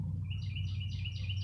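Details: A Northern Cardinal near woods gives a quick run of four clear, downslurred whistles, about three per second, over a heavy low rumble of wind or traffic.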